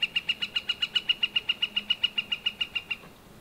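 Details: Northern flicker calling a long, steady run of about twenty-two bright, identical notes, evenly spaced and delivered at a rapid clip for three seconds before stopping abruptly.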